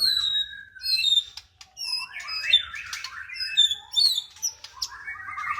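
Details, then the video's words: White-rumped shama (murai batu) singing: a rich, varied run of clear whistles, chirps and squawky notes, with bright high phrases alternating with lower warbles and brief pauses between bursts. "Muraibatu Seri F"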